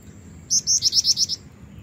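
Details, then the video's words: Luring a male, a female black-winged flycatcher-shrike delivers a brisk string of about seven piercing high notes, each short and slightly rising, against quiet low-frequency noise. "jingjing batu betina gacor pancingan jantan"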